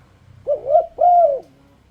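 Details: Single turtledove phrase from a luring song meant to make other turtledoves sing along: a short rising-falling coo followed by a longer, drawn-out arched coo.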